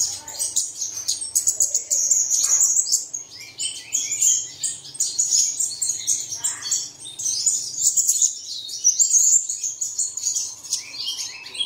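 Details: Chirping birdsong meant to set caged birds singing at dawn: busy, high-pitched tweets and short trilled bursts overlap continuously, in steady waves of loud phrases with brief lulls between them.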